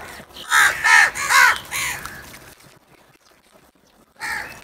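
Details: Crows while fighting and eating food: four harsh, hoarse caws in quick succession, then a pause and one more caw at the end.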